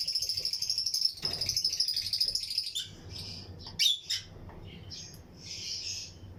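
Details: Pairs of lutino lovebirds in an aviary breeding colony chatter in dense, high chirps alongside other birds, many overlapping in a steady buzzy stream, with a few sharper squeaks standing out near the end.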